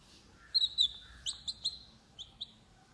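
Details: Chicken chicks held in a hand cry "keech keech" after hearing their mother, with thin, high, falling peeps in short bursts, some doubled, then two quieter notes.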